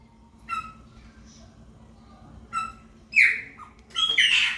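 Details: Chopi blackbird of the 'preta fumaça' song style, singing to mark its territory: scattered short harmonic notes, then a loud downslurred whistle and a rich burst near the end, with quiet pauses between phrases.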